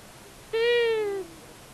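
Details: At a buzzard nest in Tiszavasvári, Hungary, on March 23, 2022, a visiting long-eared owl, one of a male and female pair, gives one sustained, nasal, tonal call that sags slightly before cutting off, with low hiss behind.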